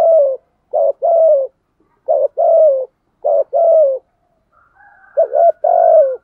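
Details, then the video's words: Decoy spotted dove cooing to draw in wild doves: a steady series of paired low coos, a short note followed by a longer level one, repeated about every second, with faint higher chirps near the end. "chim cu mồi thúc gù bài bản nhất hiện nay, chim cu gáy kích bổi hiệu quả nhất hiện nay"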